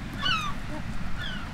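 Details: Herring gulls on the seashore by rock pools on a fine day give harsh, slightly falling squealing calls, one long and another fainter, over steady low wind rumble.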